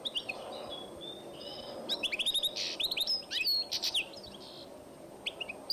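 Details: Song of a European goldfinch and canary hybrid from 2012, a run of bright, rapid chirps and short liquid whistles packed into the middle seconds, with a soft low rumble underneath.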